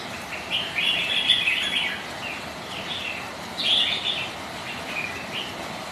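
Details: Red-whiskered bulbul rivals sparring during rain: a long chattering warble, a pause, then another bright burst of whistled notes over steady background noise.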